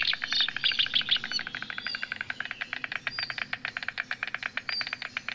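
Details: White stork in Lednice park, 2 May 2019, recorded with a Nikon Coolpix P1000: a long run of rapid, dry, even clattering pulses that slow slightly toward the end, with high chirping songbirds over the first second.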